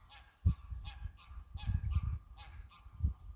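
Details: Greylag geese giving loud, nasal honks in quick bursts of two or three, close by, with low thumping bumps of wind or handling noise under the calls.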